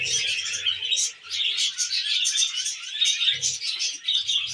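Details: Several pet budgerigars eating wheat germ chirp and warble busily in a bright, continuous twitter, with low tapping at the start and again near three and a half seconds.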